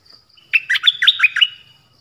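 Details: A songbird's song played for young birds to learn from: a quick run of about six rich, chirpy notes in one second, warbling between lower and higher pitches, over a thin, steady high whistle.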